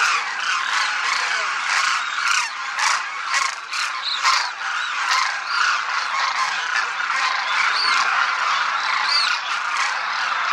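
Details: A large flock of demoiselle cranes flying in formation over a Rajasthan village calls continuously, a dense chorus of rolling, trumpeting croaks overlapping with no pause.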